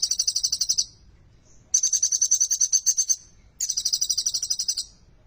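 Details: Three fast, shrill trains of evenly spaced notes from a sunbird locally named kolibri ninja, each about a second long; a ciblek-flavoured song used to stimulate birds that have stopped singing.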